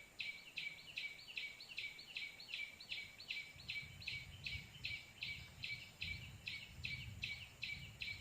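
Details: White-breasted waterhen calling, used as a lure to trap the birds. A long, steady train of scratchy repeated notes, about two and a half per second, with a low rumbling noise rising in the second half.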